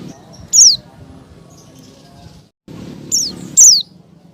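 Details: A female Oriental white-eye calls to attract a male, played to get caged birds singing: a high falling squeak, a pause with a short dropout, then two quick downslurred notes close together.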